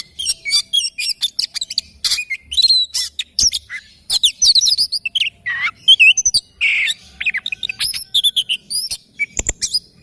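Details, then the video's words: Oriental magpie-robin in morning song, a dense, almost continuous stream of sharp chirps, rapid trills and short rising and falling whistles over ten seconds. "Kicauan Kacer Dipagi Hari"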